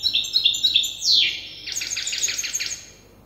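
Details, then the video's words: Young European goldfinch hybrid learning song from an older hybrid: a few clear high notes, a loud downward slur, then a fast buzzy trill that fades out. "تغريد هجين الحسون لازال في مرحلة الحفظ"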